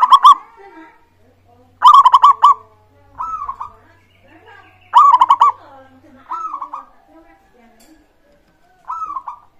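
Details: Zebra dove of local type singing as a lure for other birds: loud stuttering bursts of rapid coo pulses, each followed by a shorter rolling trill, repeated several times over the clip in clean quiet surroundings.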